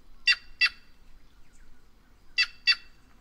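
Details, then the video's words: White-naped jay (Cyanocorax cyanopogon) calling in quick doubled bursts: two harsh, buzzy notes, a pause of about two seconds, then two more. "Canto da Gralha Cancã Cyanocorax Cyanopogon"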